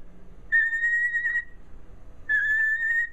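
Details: A female cockatiel answering her owner's questions, trained to give two peeps for no and three for yes, gives two clear, steady whistled peeps, each nearly a second long with a pause between them, in a quiet room.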